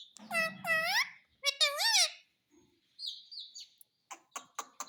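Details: Pet talking parrot: drawn-out, curved, speech-like syllables over a low murmur, then thin high chirps and a few sharp clicks.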